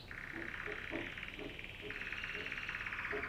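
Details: Female canary singing: a sustained, finely buzzing mid-pitched trill that steps up slightly midway, with soft low pulsed notes beneath and a constant background hiss.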